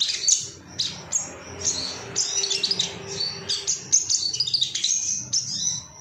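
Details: Busy high twittering and chirping from an excited male Ruby-cheeked sunbird, known as sogon, calling rivals; notes overlap in a tangled stream, with a faint low steady tone in the background.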